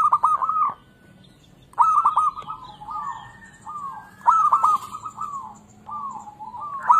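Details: Zebra dove of local stock singing, played as a lure to get lazy doves calling: bursts of quick clicking notes leading into trilled, bubbly coos, about three phrases with softer coos between.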